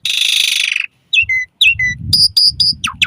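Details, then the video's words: Asian pied starling singing, played to train caged birds morning and evening: a long harsh hissing burst, then whistled downslurred notes and sharp high metallic notes, with low rumbling noise beneath. "Suara Kicau Jalak Suren"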